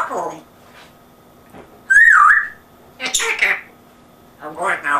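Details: Indoor pet African grey parrot with an English accent mimics speech: murmured syllables, a loud drawn-out wavering whistle, then rough chattering phrases.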